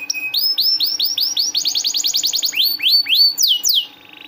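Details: Singing canary, recorded as a master song to stimulate reluctant canaries: a run of about a dozen clear rising whistled sweeps, a quicker burst of sharper sweeps, then slower downward slurred notes ending in a soft buzzy trill.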